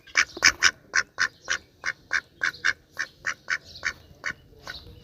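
A duck gives loud, nasal quacks, around fourteen in five seconds at an uneven pace, with slight background noise.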